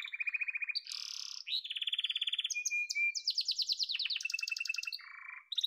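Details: A yellow domestic canary runs through varied trills: a low rattle, a high buzzy roll, a steady mid-pitched trill, a short whistle, then fast stacked chattering notes.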